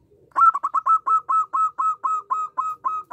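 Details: Local zebra dove in full song, a quick run of short, soft cooing notes at a steady mid pitch, about a dozen in three seconds, each note rounded and slightly rolling, in a quiet indoor-sounding setting.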